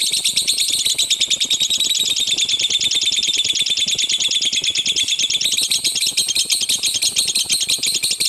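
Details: Lovebird in loud 'tembakan' style, a master recording for teaching birds to sing. A fast, steady stream of shrill chattering pulses repeats about three times per second without pause.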